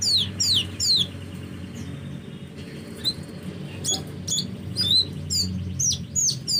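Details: Hummingbird uttering sharp, very high downslurred squeaks in quick clusters, pausing briefly midway, over a low steady hum.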